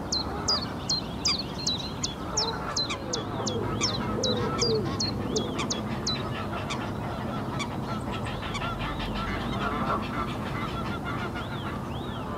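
Egyptian goose giving a rapid run of harsh, honking calls, several per second, fading after a few seconds over steady rushing background noise.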